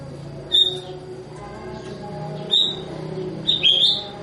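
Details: Sooty-headed bulbul gives short, sharp whistled notes spaced about a second or two apart, ending in a slightly longer warbled pair. The whistles sit over a faint continuous tonal background hum.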